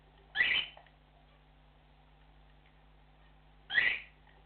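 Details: Cockatiel flock call: two loud, harsh upslurred whistled chirps about three seconds apart, over a quiet low hum.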